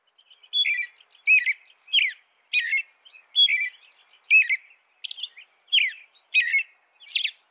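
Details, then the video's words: American robin singing continuously with evenly spaced phrases for over seven seconds. Low slurred whistles mix with high, thin, scratchy elements. No other birds or noise. "canto de robin americano AMERICAN ROBIN"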